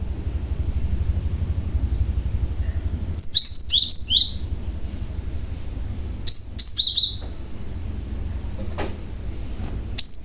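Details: {'caption': 'Young cinereous tit giving a lure call for other tits: two bursts of rapid, high, downslurred whistles about three seconds apart, over a steady low hum, with a lone note at the end.'}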